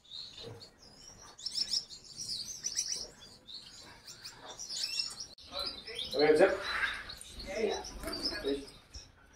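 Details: A male European Lady Gouldian finch gives thin, high chirps in short scattered bursts, with a person talking over the later part.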